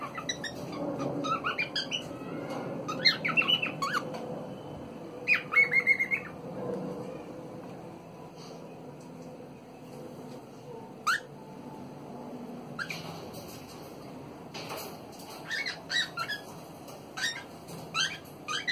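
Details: Pet cockatiel (Nymphicus hollandicus) giving scratchy squawks and short whistled song phrases over a background hum.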